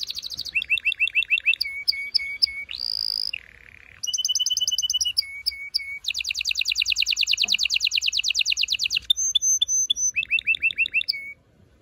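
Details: Canary singing loudly to stimulate males and prepare females for mating; continuous song of rapid repeated trills and rolling tours, shifting between high whistled notes and lower buzzy phrases, with fast pulsed runs and brief pauses, clean background.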